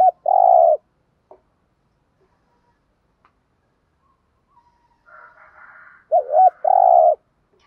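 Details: Decoy spotted dove luring other doves: a long mellow coo, a quiet pause of several seconds, a faint rough murmur, then a wavering double note and another long coo.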